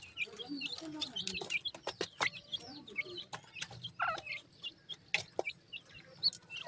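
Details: Hungry grey francolin chicks, known as Sindhi teetar, in Pakistan: steady, evenly spaced high peeps and short chirps, with frequent crisp clicks and a soft low voice-like murmur early on.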